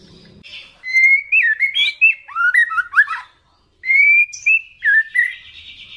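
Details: Agitated, spotted-plumage white-rumped shama singing loudly toward a rival: rich varied whistles rising and falling, two long phrases split by a brief pause, ending in a buzzy trill.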